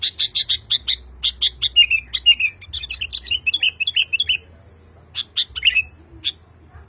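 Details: Male sooty-headed bulbul calling for a female, worked up by hearing other bulbuls. Rapid high chirps give way to a warbling string of lower slurred notes, then a short pause and scattered sharp chirps.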